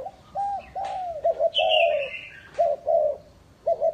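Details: Lure spotted dove at a breeding farm in Ba Vi, Hanoi, Vietnam, cooing in broken phrases of short and longer notes, with a high buzzy call from another bird in the middle.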